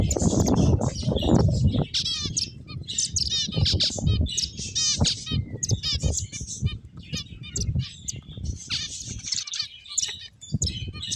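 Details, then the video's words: A busy chorus of finches, many short high chirps and rattling trills overlapping almost without pause, with a burst of low rumbling at the start and steady background noise. "Beautiful Finches Chirping Sounds"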